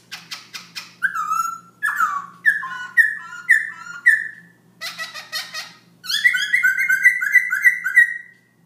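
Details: Late-night song of a black-throated laughingthrush at 11pm: clicks give way to loud whistled phrases rising then dropping, then a rapid rolling series of about eight bright whistles near one pitch.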